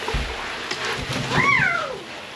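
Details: A female pet scarlet macaw bathing in the shower gives one harsh, rising-then-falling squawk of about half a second, a scream of happiness, with splashing water and faint household noise behind.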